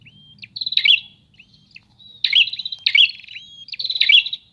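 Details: Prinias exchanging song: thin level whistles and faint notes, then loud buzzy pulsed phrases with bright accents and rising whistled slides, coming closer together toward the end, over a faint low hum.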